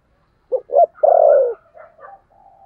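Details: Decoy spotted dove in the 'thổ' voice style. Two short clipped notes lead into one loud, sustained, slowly falling coo, followed by quiet trailing murmurs.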